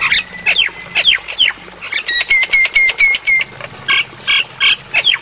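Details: Javan myna song on a training recording for captive birds, played at night: a few falling whistles, a rapid even trill of ringing chips, then harsh squawks and more downslurred whistles.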